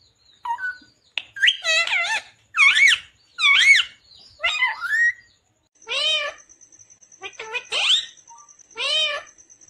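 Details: Pet parrot said to talk, speaking "mummy papa": varied, voice-like harmonic syllables, some swooping up and down, delivered in uneven bursts roughly once a second, with a thin high tone running through the latter half.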